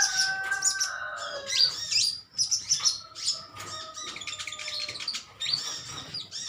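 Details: Metallic green sunbirds in a colony trading quick, thin, high chirps back and forth, irregular clusters of short sharp notes, with a steady faint tone running underneath.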